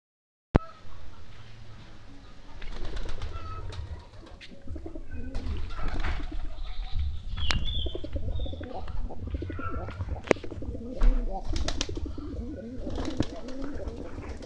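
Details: Pigeons feeding give low, soft cooing murmurs amid sharp pecking taps and brief wing flutters.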